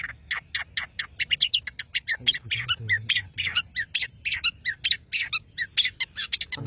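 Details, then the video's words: Long-tailed shrike from Madura singing actively: a fast run of harsh, scratchy chattering notes, about three each second, with a low hum underneath. "CENDET Pentet MADURA GACOR"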